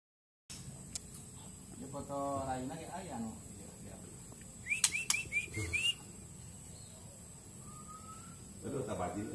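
A young white-rumped shama gives a quick run of five bright, rising whistled notes, then a single drawn-out whistle, with a man talking before and after.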